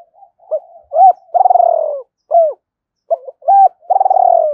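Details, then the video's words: Lure calling by a spotted dove, Hai Hau style, used to bring wild doves in: repeated phrases of soft lead-in notes, sharp hooked coos and a long throbbing descending purr, given twice in quick succession. "tiếng cu gáy mồi chuẩn gáy gọi HAI HẬU dùng kích bổi gáy vang cả buôn làng"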